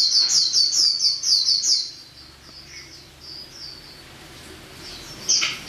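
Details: Song of a female white-eye: a fast series of shrill, high chirps repeated for about two seconds, then softer scattered twitters and one sharp closing note over a quiet background.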